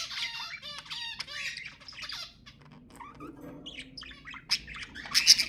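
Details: Budgerigars chattering to encourage mating, with raspy squawks and rattling notes, a quieter stretch in the middle, then sharp high chirps at the end.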